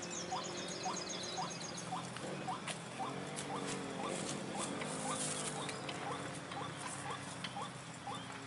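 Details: Lure recording of a White-breasted waterhen: a steady run of brief, upward-flicking croaks about two per second, with droning insects and a low hum underneath.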